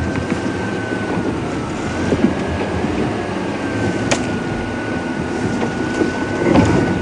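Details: Morning game drive at Djuma Game Reserve: a running vehicle engine with a steady whine, bumps and rattles throughout.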